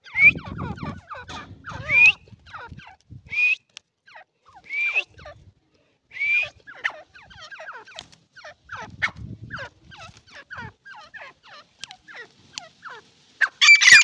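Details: Long sequence of Irani partridge calls: repeated clear rising squeals and many short hooked chirps in irregular runs, with quieter gaps and occasional low rumbling noise.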